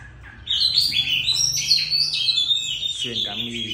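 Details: Caged oriental magpie-robin at home, pouring out a dense, high, scratchy warble of varied chattering notes, with a man's voice briefly audible at the end.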